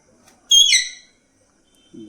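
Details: Pet Alexandrine parakeet giving its natural voice: one loud, harsh, ringing screech lasting about half a second, with rich overtones, then quiet with a faint low sound at the end.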